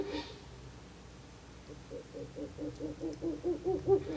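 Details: A Ural owl at a nest box at night on 11 July 2023, around 20:27, during a pair's visit, gives a quick series of low, soft hoo-hoo notes, about four a second, swelling louder.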